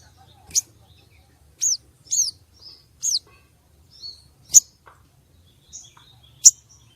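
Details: Female common iora calling, used to rouse males for contests: high, sharp chirps and short curved whistles, spaced irregularly about two per second or slower, in a quiet setting.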